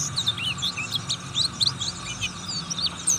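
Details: Oriental white-eye of the buxtoni type, a fruit-eating bird, singing in ngriwik style: rapid, dense chatter of short high twittering notes and quick slurred whistles, with a steady low hum underneath.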